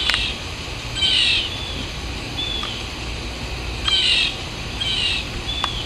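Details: Blue jay in the wild: three short, harsh, rasping bursts spaced one to three seconds apart, with faint thin high whistles between them, over a steady low rumbling background.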